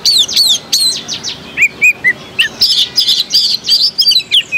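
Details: Oriental magpie-robin in a cage at a songbird contest, Jakarta Cup 2015, Indonesia, delivering a rapid medley of high chattering notes, short downslurred whistles and bright trills in fast bursts, one after another.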